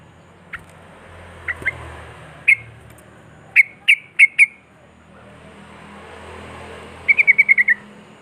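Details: Sooty-headed bulbul singing to prompt other bulbuls to sing: scattered sharp whistled notes, then a spaced group of four, and finally a rapid burst of six bright notes slightly falling in pitch, against a soft steady hiss.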